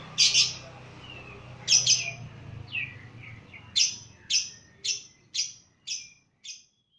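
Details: Lovebird, lively and agile, stirred up by a lure recording, giving its ngekek-style voice: shrill, sharp chirps in paired bursts at first, then a run of about six descending high notes roughly every half second, over a faint low hum.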